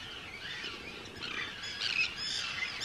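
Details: Short burst from an Arctic tern breeding colony of hundreds of birds, Rottumerplaat, Netherlands, 4 June 2023: shrill, harsh calls overlap, rising in loudness near the end.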